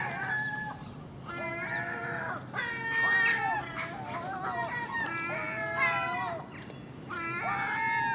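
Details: Early-morning common gulls squabbling over household garbage alongside magpies and crows: a busy run of overlapping, wailing mew calls, some long and level, others short and clipped, with brief harsh chatter between them.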